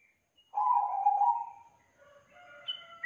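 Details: Yellow-vented bulbul song used as a lure to get a reluctant young bird singing: a long, slightly wavering low buzzy note, then soft higher whistled phrases that end on a sharp rising note.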